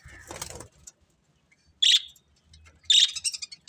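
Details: Budgies calling indoors: a brief scratchy rustle, then two loud, sharp, high chirps about a second apart, the second trailing into softer twitters.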